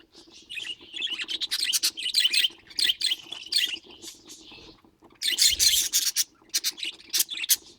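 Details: Pet budgerigar chatter: busy run of short chirps and scratchy warbled notes, with bursts of harsh broadband clicks and rasps midway, over a faint steady low hum.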